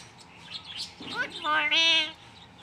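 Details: A common hill myna (Gracula religiosa) gives a brief rising note, then a rich, voice-like nasal phrase lasting about half a second, much like mimicked human speech.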